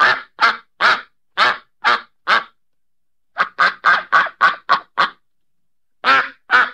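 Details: Series of nasal duck quacks: six spaced calls, a pause, a rapid chattering run of nine, then two final quacks after another short break. The background is otherwise silent.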